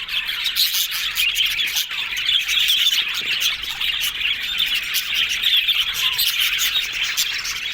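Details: Cheerful yellow budgerigar chatter, many birds warbling at once in a dense high-pitched babble of chirps and squeaks that never stops.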